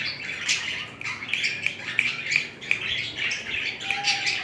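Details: Two budgies mating, with romantic displays between the pair. Continuous budgie warbling mixes quick chirps, clicks and buzzy notes in steady fast bursts, with a brief faint whistle near the end.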